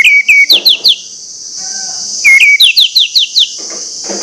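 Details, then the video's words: Orange-headed thrush lure song, loud and insistent, meant to provoke other orange-headed thrushes: series of quick, sharply downslurred whistles repeated about six times, twice, over a constant high insect-like hiss. "pancingan anis merah plong ngotot membangkitkan gairah anis merah lain untuk bunyi"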